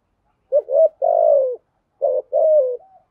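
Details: Spotted dove giving a patterned 'gù thúc' urging coo in the earthy 'giọng thổ' voice. Two phrases each pair a brief stuttered note with a long, mellow, gently descending coo, ending in a faint trailing tail. No other sounds.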